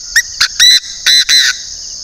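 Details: Chinese francolin used as a decoy, from northern Vietnam: a harsh, emphatic series of five notes, two quick short ones followed by three longer, louder, ringing syllables, over a continuous high insect-like drone.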